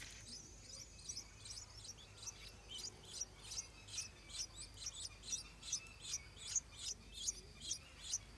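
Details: Stripe-throated bulbul at the nest with hungry hatchlings while the parents defend it; thin, high chirps come about two to three times a second in a steady, slightly uneven run over a soft background hiss.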